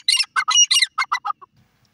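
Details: Grey francolin calling in its natural voice. Harsh, scratchy notes run in a fast series of about nine, at first doubled and strident, then shorter and softer as the phrase trails away, against silence.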